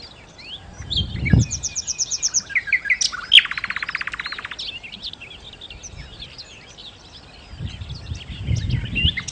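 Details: Nightingale in lively, full song, used to lure other birds: varied whistled phrases, a high stuttered burst, then a long buzzy rattle of rapid repeated notes, followed by scattered chirps. Low thumps are heard at the start and end.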